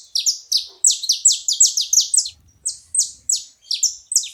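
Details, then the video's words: Several saffron finches calling together, a dense chorus of sharp, high, downward-slurred chips repeated rapidly about three per second with uneven rhythm, overlapping notes from more than one bird. "Canarinhos da terra junto fazendo barulho"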